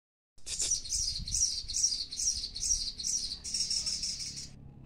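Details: Crimson sunbird in strong breeding condition, giving a high, thin, buzzy song of fast trilled notes repeated a little over twice per second for about four seconds, with faint low background noise.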